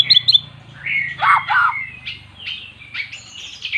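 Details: Caged magpie-robin, long mute, singing after hearing played-back magpie-robin song: a loud, harsh, twisting phrase followed by spaced whistled notes at varied pitch, with a low hum in the background.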